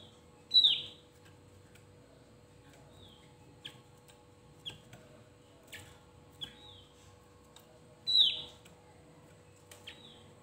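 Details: Javan grey-throated white-eye singing to provoke rival birds: short, high, clear whistled notes, some sliding downward, given about every second with two much louder phrases, over a steady low electrical hum.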